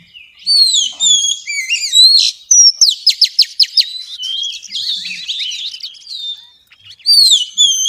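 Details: Female Oriental magpie-robin singing in the xùy style to stimulate males: a rich, varied run of high whistled slurs and glides, then a rapid series of sharp repeated notes, and a fresh burst of whistles at the end.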